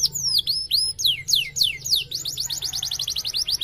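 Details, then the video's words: Canary singing as a lure for other canaries: long downward-sweeping whistles at first, then a quick, even series of short rising notes, with a faint low hum in the background. "PANCING BUNYI KENARI MACET.GACORNYA BAGUS UNTUK MERESPON"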